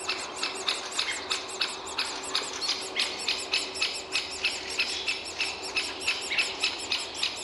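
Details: Great spotted woodpecker at its nest hole, with a chick and a parent: a steady stream of high, scratchy chirps, about three a second, continuing without pause over faint background hiss.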